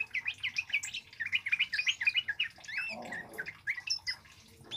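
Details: Male scarlet-headed flowerpecker, a loud lure or tutor recording, pours out a rapid run of thin, high, sharp chirps and ticks, about three or four a second, with a brief rustling noise partway through.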